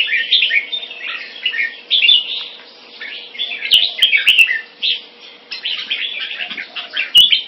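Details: Singapore-kept red-whiskered bulbul, a champion-bloodline crossbreed, delivers rapid chattering, slurred whistled notes in short bursts separated by brief pauses, with occasional sharp clicks and a faint constant hum.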